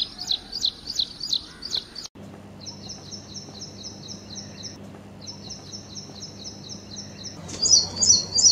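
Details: High repeated notes from an ashy prinia, with a brief run of rapid sharp chips, then a long even series of buzzy paired notes before bright chirps return; a low background hum runs throughout.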